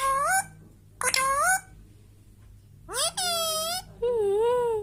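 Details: Indian ringneck parrot whistling naturally, four strong harmonic notes: short upward-curving whistles, then a longer arching tone and a final wavering, slightly warbling whistle, separated by brief silences.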